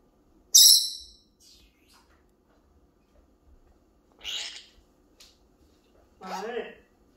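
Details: A pet Senegal parrot gives a sharp, shrill squawk, then two short, raspy, speech-like phrases a few seconds apart, imitating Korean words to its owner: "mom", "hello" and a clumsy "I love you".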